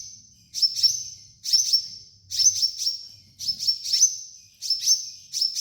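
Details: Sunbird in energetic song, used as training material for cage birds: high-pitched piercing chip notes in clustered pairs and triplets, about once a second, with a soft low rumble in the background.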